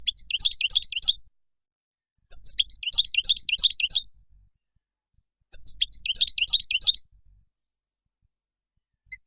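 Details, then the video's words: European goldfinch giving its wild song for tutoring young birds: three separate phrases of liquid, jangling twitters, each lasting about a second and a half and spaced by roughly two-second silences. "تغريد الخلوي أو البري لطائر الحسون"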